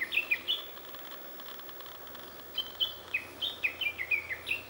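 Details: Unseen Japanese bush warbler in mulberry leaves: a few quick high falling notes, a pause of about two seconds, then another rapid burst of sharp descending notes.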